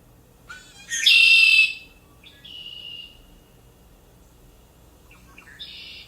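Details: A male Red-winged Blackbird, a spring returning migrant in Iowa, sings a short lead-in note, then a loud, harsh, buzzy trill, followed by two softer buzzy phrases against a quiet background.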